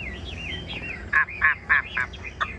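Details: Caged Chinese hwamei giving wavering whistles, followed by four loud, rough, burry notes spaced about a quarter second apart and a final short note, over faint background noise.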